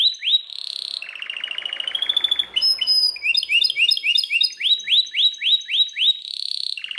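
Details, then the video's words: Belgian canary singing very loudly: a varied song of rising upswept whistles, fast buzzy rolls and high trills, with phrases switching every second or so and one roll held for about a second. "o canário belga canta muito forte"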